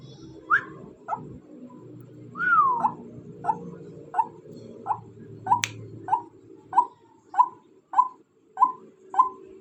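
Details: Female white-breasted waterhen starting with a couple of higher, sliding notes, including one long falling call, then settling into a regular series of short croaks, with a sharp click midway and low rumbling noise.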